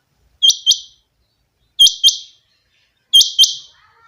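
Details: A kept rain quail, locally chinga batair, repeating a piercing two-syllable call three times at an even pace, with a faint squeak near the end.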